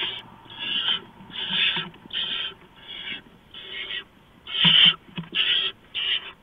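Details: Rasping barn owl calls at the nest as a mouse is delivered before dawn on 6 March 2015. About nine breathy bursts vary in loudness, one much louder near the end, mixed with light scuffling.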